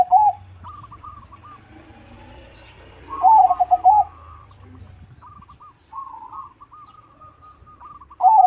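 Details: Loud zebra dove (perkutut) song: brief warbling coo bursts at the start, around three to four seconds and at the end, over a chorus of fainter cooing doves.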